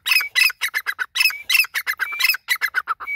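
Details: Grey francolin (dakhni teetar) calling: a fast run of harsh, squawky notes. They come in quick bursts of two or three, with short pauses between the bursts. Some notes carry a thin whistled edge. No other sounds stand out.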